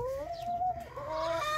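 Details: Chicken in an outdoor enclosure housing chicks gives a drawn-out tonal call. The call rises and then holds steady, breaks briefly, and is followed by a second sustained, slightly rising note.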